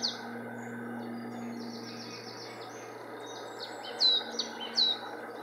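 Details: Marsh tit song from Linford Lakes Nature Reserve, Milton Keynes, 25 March 2015, among several song types given: a series of high, thin descending notes repeated about once per second, with two louder notes near the end, over a constant low hum.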